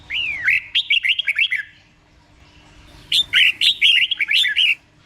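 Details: Red-whiskered bulbul singing a slow, clear doubled song meant for caged birds to copy: two phrases of rapid, warbled whistles about a second and a half long, with a quiet gap between.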